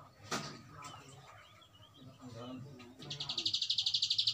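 Bar-winged prinia breaking into a fast, high, rattling trill of about ten sharp notes a second, after faint background voices and rustling.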